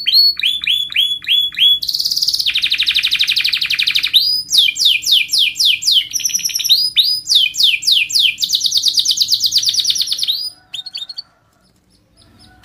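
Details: Young canaries' training song from a canary: repeated slurred whistles give way to a dense buzzy roll, then chains of quick sweeping notes, before a fading finish and near silence.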